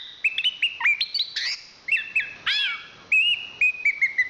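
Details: Chestnut-capped thrush (Zoothera interpres), a national champion, sings a bright run of short, clear whistled notes, some upslurred, broken by a loud buzzy downward sweep and then steady repeated whistles.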